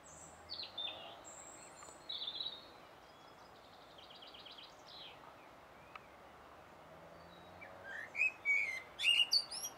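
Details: Common blackbird singing on 1 June 2016, recorded with a Sony HDR-PJ10E camcorder: short fluted warbling phrases in the first seconds, a quiet pause, then a burst of high, scratchy twittering notes near the end.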